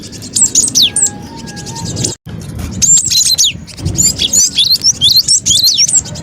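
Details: Bird-trapping lure of a cinereous tit: short groups of high sweeping chirps, a sudden silent break, then a denser run of rapid, twisting whistled notes over a low background murmur.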